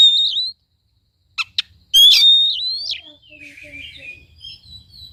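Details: Oriental magpie-robin singing, played to coax a reluctant bird into song: a bright whistled note, two sharp clicks, then a long loud wavering whistle, trailing into softer twittering warbles.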